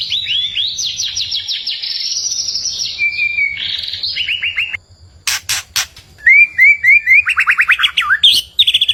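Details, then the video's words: White-rumped shama song meant to provoke a neighbour's bird: rapid, high trills of repeated notes, a few level whistles, sharp clicks, then brisk upslurred notes and fast stuttering trills. "MASTERAN MURAI BATU BIKIN EMOSI BURUNG TETANGGA / 3 MENIT GACORR isian suara murai"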